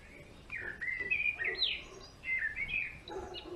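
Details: A male European greenfinch in a garden gives a rapid twittering run of short rising and falling notes and brief trills, loud and continuous over a few seconds.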